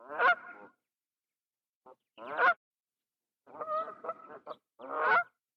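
Grey crowned crane giving four loud, harsh, goose-like honks at uneven intervals over about five seconds, with one brief fainter note between them.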